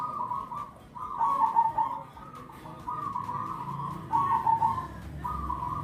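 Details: Zebra dove calling: drawn-out coo phrases with rapid trilled notes at one even pitch, two longer bursts in six seconds, over steady low background noise.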